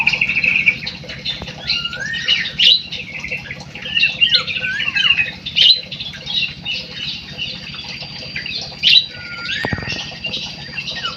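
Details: Munia chattering in rapid squeaky phrases with twisting high notes and a few falling whistles, loudest in bursts about every two to three seconds, with a thump near the end and background hum.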